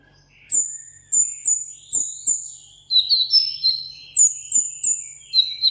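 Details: Caged sunbird in a solo singing contest, giving very high thin whistled notes in short groups, then slightly lower drawn-out whistles, repeated steadily with faint clicks between.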